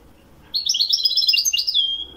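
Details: Goldfinch singing in the Wedani style, Morocco: a sudden burst of rapid, liquid twitters and tinkling high notes lasting under two seconds, closing with a descending drawn whistle.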